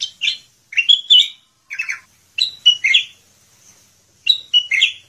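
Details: Chattering gacor song from a sooty-headed bulbul: rapid bursts of two to four bright, slightly harsh whistled notes, some rising and some falling, separated by brief pauses, in a clean recording.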